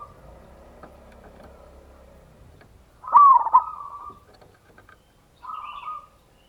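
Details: Zebra dove, local type, singing a ngayer kerot nutut lure phrase to provoke other doves. After a quiet opening, one loud, tremulous rolled coo sounds, followed by a shorter, softer coo.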